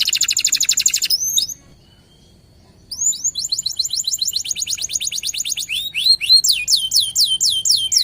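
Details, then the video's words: Local canary singing constantly, used as a lure to get other canaries to sing: very high, rapid, rattling trills and repeated sharp upswept notes in fast runs, with a brief silent pause partway through. "PANCINGAN KENARI LOKAL GACOR"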